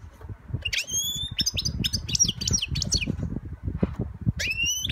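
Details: Singing young European goldfinch delivering a fast jumble of sweet, ringing chirps and slurred whistles, pausing and resuming, with soft low rumbling underneath.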